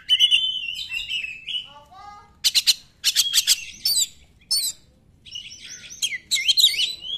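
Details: 'Nembak' song of an Oriental magpie-robin used as a lure for silent birds: a sweet warbled whistle, soft lower notes, a string of loud sharp explosive bursts, then scratchy high trills.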